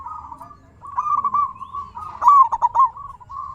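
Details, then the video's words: A local zebra dove sings to get other doves answering. A soft purring coo builds into a louder rolling trill of quick, slightly bent notes, then trails off into a lighter coo. "Suara burung perkutut sangat istimewa 100% auto nyaut"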